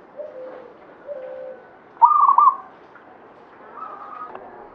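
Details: Local zebra dove of the Banyumili katuranggan type singing busily: a loud, stuttering, bubbling coo phrase midway, with softer low coos before it and a fainter rolling coo near the end.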